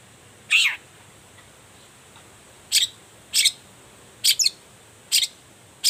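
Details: Long-tailed shrike giving harsh morning calls to make other shrikes respond; sharp grating notes, some doubled, spaced irregularly about a second apart, against a faint continuous hiss.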